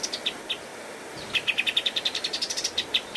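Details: Kapas tembak, the pied triller, singing a master recording used to train cage birds: a few scattered high chips, a short pause, then a fast even run of bright notes climbing gently in pitch.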